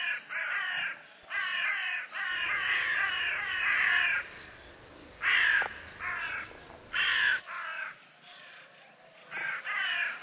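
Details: Among a flock of hooded crows foraging in a meadow, one digs into an acorn. Rasping, harsh caws come in repeated runs of roughly one per second, with quieter stretches between.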